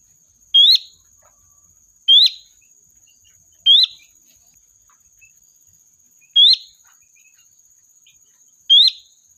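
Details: Sooty-headed bulbul lure call for summoning a flock: five short upward-swept whistled notes at uneven gaps of one and a half to two and a half seconds, steady high whine in the background.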